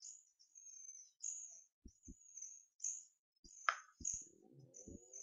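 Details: Hand-fed hawfinch chicks, twelve days old and reared in captivity, give drawn-out high thin begging squeals almost nonstop, broken by a sharp click, low knocks and a brief scraping noise near the end.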